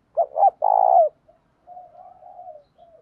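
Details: Decoy spotted dove singing in the 'thổ pha' style to provoke fighting. Two short notes lead into a long buzzing coo, followed by faint, drawn-out quiet cooing.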